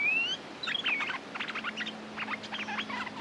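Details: Territorial Streak-eared bulbul, a local lord ready to fight, used as a lure sound: a rising whistle opens, then quick bursts of short chattering notes in uneven clusters, with a faint steady low hum behind.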